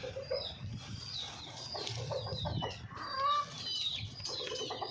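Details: Hens from a small household flock giving short, low clucks, with wing flapping, a brief louder call midway, and scattered high thin peeps in the background.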